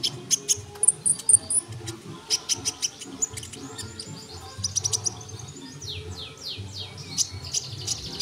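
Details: Sunbird tutor recording for songbirds: bursts of sharp high ticks and a short run of thin, very high pips, then a cascade of rapid descending sweeps, with low background hum.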